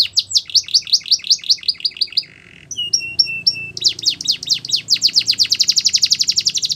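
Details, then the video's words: A Belgian canary's training song for young canaries, with fast falling notes, a brief low buzzy pause, a few clipped high chips, then a dense rapid trill that builds in loudness. "The Best Canary Training Song | Belgian Canary Singing"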